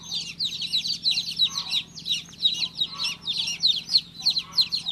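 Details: Baby chick chirping in rapid clusters of high, piercing peeps, roughly three per second, pulsing steadily against a faint low hum.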